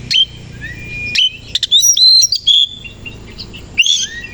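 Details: Oriental magpie-robin (kacer koci) singing vigorously in the morning with its tail spread: clear whistled notes, fast rising slurs and rapid chattering phrases, with bursts separated by short pauses.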